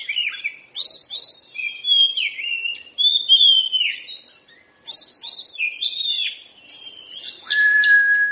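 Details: Oriental magpie-robin in moult singing a fluent, varied song of whistled glides, falling slurs and crisp chirps, ending on a long steady lower whistle.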